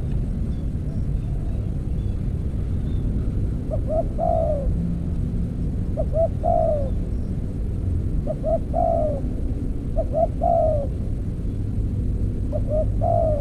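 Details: Spotted dove in decoy trapping with an earthen cage. Quieter three-part coos, two short notes then a falling drawn-out one, recur every two seconds or so. Heavy low-frequency rumble partly masks them.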